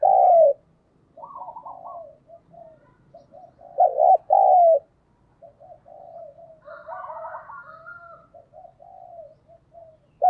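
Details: Spotted dove kept as a decoy, calling to stir and lure wild doves. Loud coos at the start and middle frame long stretches of soft, wavering lower cooing, a higher trill overlapping briefly, with faint low background rumble.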